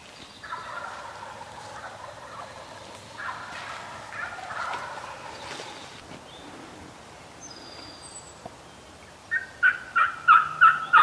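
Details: Wild Turkey gobbling in New York during the spring youth turkey season, a rapid rolling warble in two bursts early on, followed near the end by a quick run of five loud, sharp repeated notes.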